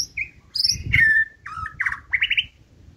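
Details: White-rumped shama, a caged bird offered for sale, singing a varied run of clear whistles and short buzzy notes, mostly high, some sliding downward, with faint low background rumble.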